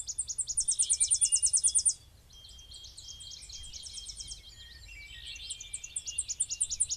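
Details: Tennessee Warbler, recorded on a rainy, very dewy day, probably at a nature area by a power-plant lake: very high, dry staccato chips in a fast chattering series, then looser twittering phrases and another rapid run, over a faint low rumble.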